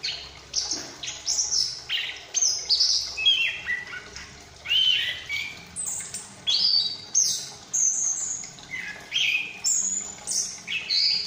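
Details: Chestnut-capped thrush, a young caged bird from Malang just out of spotted plumage, chattering actively while learning full song. Quick high whistles and buzzy notes, in bursts roughly every second, run steadily through.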